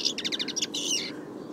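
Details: Brief European Goldfinch (Carduelis carduelis) song phrase: a row of quick, evenly spaced tinkling notes running into a short buzzy, rasping element, with faint low background noise.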